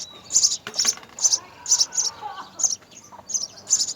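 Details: Nestling house sparrows, three of them, fed by mother and father: a busy series of high, squeaky chirps, some doubled, with brief wing-flutter-like noises between calls.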